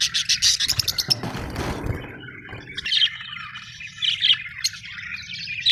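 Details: Budgerigars giving bright chirps and squawky notes, with a burst of broadband rustling noise early on before scattered high chirps resume.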